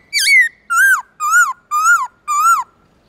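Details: A black-throated laughingthrush sings in the forest-voice style in the morning. It gives five loud, clear, arched whistled notes, each rising then falling, evenly spaced about half a second apart, in a quiet setting.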